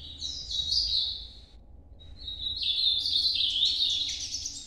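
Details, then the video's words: An ultramarine grosbeak delivers its Nordeste 'noturno' song in two bursts of high, jumbled warbling separated by a brief pause. The second phrase is longer and louder, over a soft constant hum. "Canto Nordeste Azulão Noturno"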